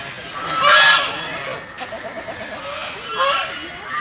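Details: Geese swimming in a pond, calling noisily: two loud, harsh honks near the start and near the end, with softer chattering notes in between and a steady background hiss.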